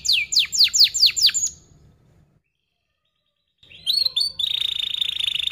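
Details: Canary song as a training lure for young birds: a burst of six sharp downslurred notes, a silent gap of about two seconds, then a fast buzzing trill held steady to the end.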